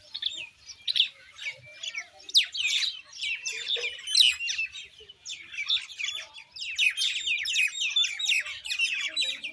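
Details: Common Indian myna calling: dense, continuous chatter of harsh chirps and short whistled notes, with rapid downward-sweeping squeaks packed closely together and rising and falling in loudness throughout.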